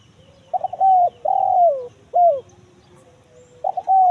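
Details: Spotted dove lure call in the kuk 1 mersik style, used to draw wild doves in the forest: a stuttered short note, then a long clear coo and a falling coo, a brief hooked note, and the phrase starting again.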